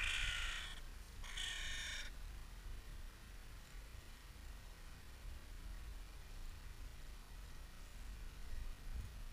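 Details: Crows in a city park in spring, sound in mild slow motion: two harsh, drawn-out caws with rich harmonics open the recording, then a low rumbling background carries on without calls.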